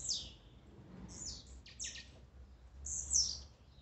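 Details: Blue-black grassquit singing, part of a ruckus of songs and 'macheados' played to rouse a kept bird: four sharp, high, buzzy bursts, each dropping quickly in pitch, against a faint low hum.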